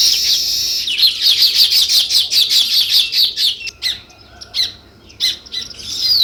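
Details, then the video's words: A sparrow chirping in a steady series of quick, high notes, about two to three each second, then a few separate sharp chirps after a short lull. "Natural Sparrow View and Sounds | Chirping Sounds"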